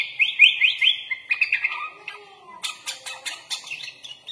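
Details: Sooty-headed bulbul (kutilang) singing vigorously in a full isian style rich in inserted phrases: quick rising chirps repeated about twice a second, then a lower buzzy trill and a burst of sharp, clicking staccato notes.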